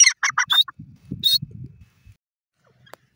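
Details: Grey francolin calling: a quick run of four or five harsh, squawking notes with rich overtones packed into under a second, then low muffled thumps and rustling close by.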